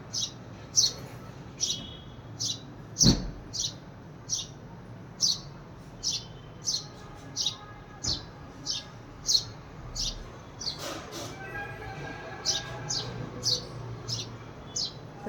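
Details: House sparrow calling to bring another sparrow: a steady series of about twenty bright, clipped, high chirps, roughly one every three-quarters of a second, with a faint voice, a couple of knocks and low household hum behind.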